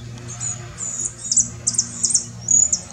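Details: Saffron finch recorded in Herradura, Formosa, giving bright high chirps, short clipped notes spaced unevenly over three seconds, with a low steady hum underneath.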